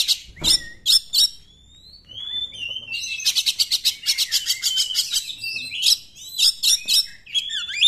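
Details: Oriental magpie-robin delivering 'nembak' style song, played to provoke quiet magpie-robins into singing: sharp clipped notes, then a long run of rapid, rattling chirps mixed with sliding high whistles.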